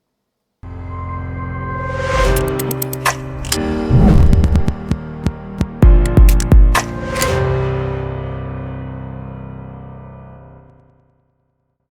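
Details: Dark ambient music with low droning tones, struck percussive hits and swelling chords fills the clip, with no animal voice.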